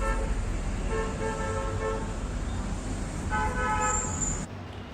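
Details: Steady traffic rumble with two drawn-out, buzzy vehicle horn toots and no animal voice.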